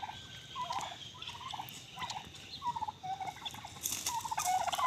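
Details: Domestic turkey heard together with a red rooster, gobbling in quick, bubbling rattles repeated every second or so. A louder burst of broadband noise comes near the end.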